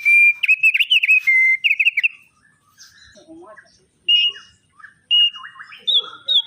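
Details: Lively opior song of short high whistled phrases, some steady and some warbled, broken by pauses and quieter chattering notes, then resuming with bright sustained whistles.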